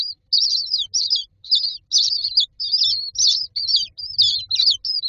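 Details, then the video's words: Common myna chicks lined up in a nest box waiting for food; scratchy, buzzy high-pitched chirps in quick repeated bursts, a little over two per second, with faint low rumble. "Myna chicks are standing in a row waiting for food"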